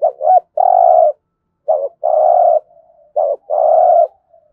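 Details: Repeated 'thúc gù' phrases from a spotted dove used to train decoy birds daily: three phrases, each a short hoot then a long flat low coo, roughly one every second and a half, with soft trailing murmurs.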